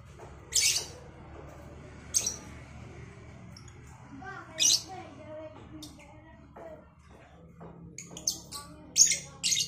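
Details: Two lovebirds, a Cobalt and a Batman, answering each other in the morning with bright, harsh squeaks. Calls come singly at first, then cluster rapidly toward the end over a low humming background.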